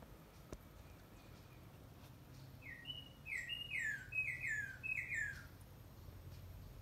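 Northern cardinal song: a quick run of six loud, clear whistles, each slurring sharply downward, over a low steady rumble of background noise.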